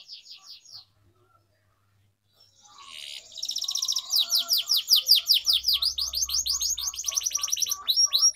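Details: An Atlantic canary (Serinus canaria) gives a few high chirps, pauses, then breaks into a long, bright run of fast, sweeping notes and rolling trills over a faint low hum; a tutor song for training young canaries to sing.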